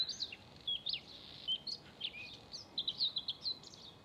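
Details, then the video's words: Male Bluethroat singing: a rapid, varied run of sharp chirps, short whistled notes and buzzy trills between roughly two and eight kilohertz, with notes falling and rising in quick succession over a quiet background. "ВАРАКУШКА( Luscinia svecica - шведский соловей) НА ВОКАЛЬНОЙ ПРОБЕ"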